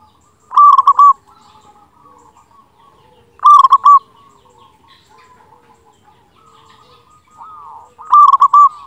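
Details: A local perkutut, or zebra dove, in full loud song, used to coax quiet doves into singing: three bold clusters of rapid coos spaced roughly three seconds apart, linked by faint murmuring coo notes.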